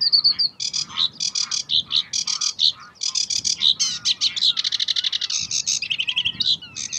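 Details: Belgian sedge warbler, Uitkerkse Polder, May 2016, pouring out a loud, hurried song of harsh rattling notes, buzzy repeated elements and fast trilled runs, accelerating into dense chatter.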